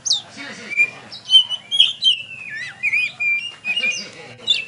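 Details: Champion oriental magpie-robin singing at a bird contest in Tebas: clear whistled notes and sliding, rising and falling phrases, some held steady, with faint crowd sounds underneath.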